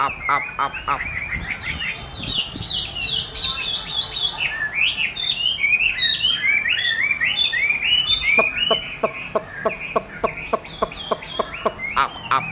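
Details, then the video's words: Chinese hwamei responding to playback of its own song during training; a rich run of varied whistled, looping phrases for about eight seconds, then a series of sharp, evenly spaced clicking notes with short whistles. "Dùng đúng giọng hót của nó để luyện hót cho nó(công nhận nó rất thích đấu với chính giọng của mình)"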